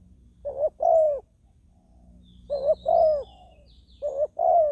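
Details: Spotted dove used as a decoy to lure wild doves, giving low two-part coos, a short note followed by a longer rolling one, repeated about every two seconds, with faint high bird chirps in the background.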